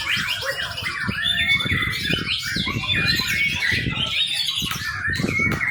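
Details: Young white-rumped shama giving quick whistled phrases and chirps in an energetic run, with repeated thuds and rustling behind, recorded as a lure for training birds.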